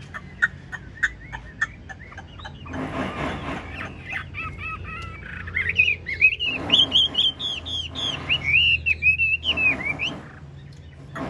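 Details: Large Chinese hwamei, kept caged, singing the long 'ngũ trường' style with nodding 'lion dance' moves. Spaced sharp clicks and noisy bursts lead into a rich run of rising and falling whistled warbles.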